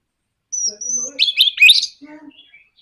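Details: Orange-headed thrush in a short provoking song of the 'nraktak konslet' type. A thin high whistle leads into a dense, scratchy burst of notes, with faint lower tones beneath.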